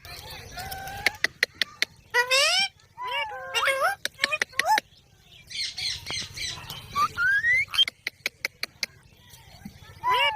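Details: Parrot voice mixing speech-like warbled syllables, rising whistles and rapid clicking sounds, with pauses between phrases and low room noise throughout.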